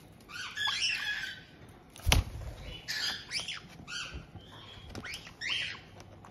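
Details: White-bellied caiques housed together in Tokachi, Hokkaido, June 18, 2023, as an established pair welcomes a juvenile just past two months old. Rasping squawks and scratchy chatters repeat through the passage, interrupted by a sharp knock.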